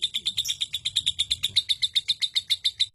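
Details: Close lovebird ngekek trill, a long song sought for contests: loud, clear high chirps repeated rapidly and regularly about seven per second, fading slightly at the very end.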